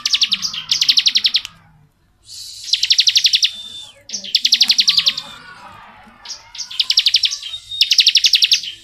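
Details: Bar-winged prinia singing in long ngebren style, quick strings of sharp, high repeated notes in several bursts with brief silences, some bursts running together.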